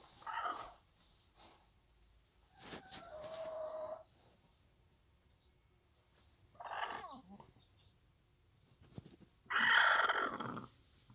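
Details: Bantam hen with her one-day-old chicks in a small backyard farm: loud, harsh squawking bursts several seconds apart, separated by near silence, with a couple of sharp clicks between them.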